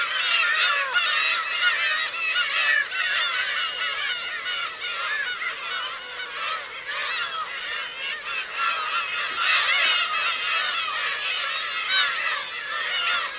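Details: Black-tailed gulls, adults alongside chicks, Teuri Island, Hokkaido, June 2021; a long unbroken din of short bent mewing calls from many birds, rapid and overlapping, loudness rising and falling.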